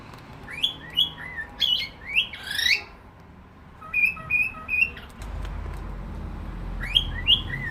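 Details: Rough sliding squawks from a cockatiel, then three crisp short whistles; after a pause a steady low rumbling noise sets in while two more squawky rising notes sound near the end.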